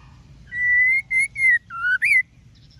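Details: ['Calling female white-rumped shama, used to stimulate males to sing: a long level whistle followed by four shorter pure notes, one dropping lower before a final upswept note.']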